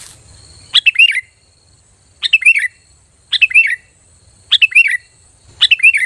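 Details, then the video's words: Sooty-headed bulbul giving a sharp, clear lure call to attract other bulbuls; five crisp phrases of quick falling-and-rising chirps, spaced a little over a second apart in otherwise quiet surroundings. "SUARA PANGGILAN PIKAT BURUNG KUTILANG GACOR"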